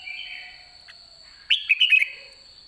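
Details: Red-whiskered bulbul, white-cheeked, at the end of the season and singing in the ché style: one quick burst of bright, slurred whistled notes about halfway through, over a steady high-pitched whine.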